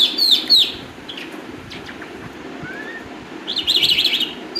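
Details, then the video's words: Calandra lark song opening with a couple of loud sharp chirps, followed by a quieter stretch of scattered faint notes and one soft rising whistle, ending in a burst of fast, rippling high trills. "Toun jal lark clandra singing bird"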